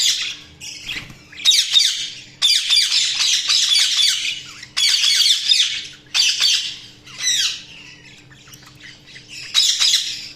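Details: Pet budgerigars pour out dense, buzzy, twittering chatter in long loud bouts broken by brief pauses, squeaky notes tumbling rapidly over a low constant hum.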